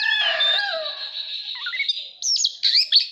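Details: Oriental magpie-robin kept as a cage bird, singing in display: a long sustained whistled note with overtones gliding down, then quick looping rising and falling whistles.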